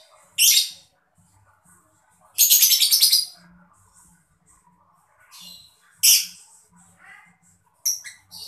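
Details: Mocha lovebird chirping, used to stimulate other birds to sing: shrill, harsh high bursts, one about half a second long and one nearly a second, separated by quiet gaps, with faint lower chatter between.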